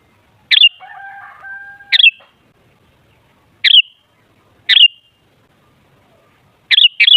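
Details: Sooty-headed bulbul used as a lure to stir other bulbuls to sing: single sharp whistled notes at irregular intervals ending in a quick double note, with a faint steady tone early on.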